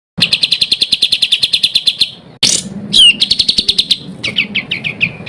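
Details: Songbird with a varied, fill-in-rich song, used as a tutor recording for training cage songbirds for contests: a fast string of sharp high chips for two seconds, then a harsh burst, a slurred whistle, a buzzy trill and a run of falling notes.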